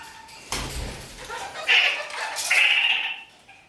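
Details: Kakariki, a kept parakeet, climbing upside down on a ceiling indoors: two short, harsh, buzzy notes about a second apart, with a scraping thump and room noise before them.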